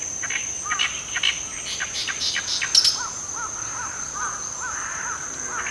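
Oriental reed warbler giving harsh, clicking call notes, then a run of short, low, arched notes about three per second, over a steady high insect drone.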